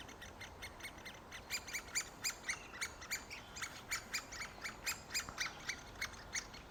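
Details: At a great spotted woodpecker nest near fledging, with parents still feeding the young: sharp, harsh notes repeated irregularly about twice per second, louder in the second half, against constant broadband hiss.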